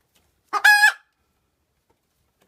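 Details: A single loud, strained squawk from a Cochin bantam hen after laying an egg, lasting about half a second, followed by quiet.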